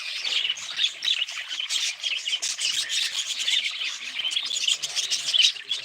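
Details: Budgerigar group chatter, a busy mix of scratchy warbles and quick tweets, with bursts of louder squawking calls scattered through.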